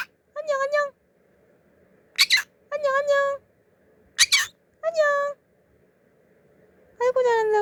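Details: A 14-month-old male conure named Minami, a pet, speaks four nasal, high-pitched greeting phrases ("annyeong"/"annyeonghaseyo", Korean hi and hello), each about half a second, separated by two short harsh squawks in a quiet room.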